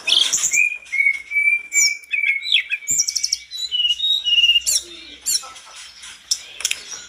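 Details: Mountain tledekan in full, excited song that other tledekans answer: a long level whistle, then quick varied chirps and high bright notes in a rapid, uneven stream.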